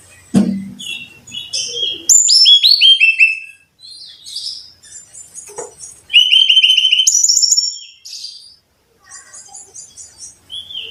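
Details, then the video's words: Brown-chested jungle flycatcher song, used as a tutor recording to get caged birds singing regularly: loud, sweet whistled phrases in quick descending note series, high and clear, with brief pauses between bursts and a faint thump at the start. "Pancingan Masteran Suara Burung (SIKATAN RIMBA DADA COKLAT)"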